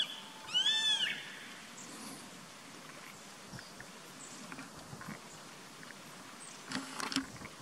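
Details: From a treetop perch on 14 April 2019, a Grey-faced buzzard gives one clear, high, down-curving whistled call. Quiet background chirps follow, then a brief burst of other sound near the end.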